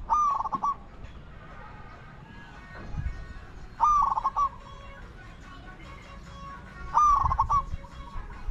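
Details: Three loud spotted dove coo phrases roughly every three seconds, each a sharp note followed by quick choppy notes, recorded while luring wild doves with a decoy bird; faint tonal background sounds in between.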